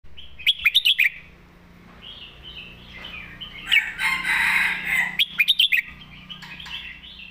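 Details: Caged red-whiskered bulbul kept as a competition bird sings its thick-cored master song: bursts of rapid warbled notes around mid-high pitch, interrupted midway by a broad rushing noise before more quick chirping phrases.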